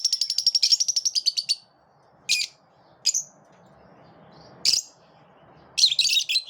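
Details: Group of lovebirds pushing one another away: opens with a rapid rattling trill of high notes, then silence broken by a few isolated sharp chirps and a closing burst of harsh chatter.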